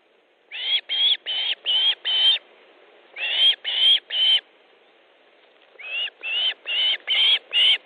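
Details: Osprey at the nest in Estonia, 3 August 2014, 15:30, while fish is delivered: three bursts of shrill upslurred whistles, five, then four, then six notes, separated by short pauses.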